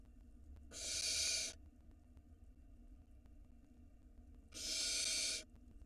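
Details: Barn owl nestling at the entrance of its nest box in Israel, caught on a live camera in 2022. Two drawn-out, breathy hisses come about three and a half seconds apart, with quiet hum between them.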